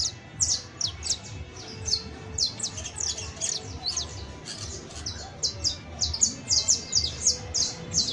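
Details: Continuous saffron finch song: rapid, piercing chirps and slurred whistles in quick clusters throughout, over low background rumble.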